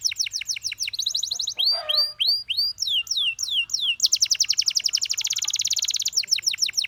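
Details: Canary song opening with quick repeated chirps, then curved whistled notes sliding down, and a sustained fast high trill before more chirps.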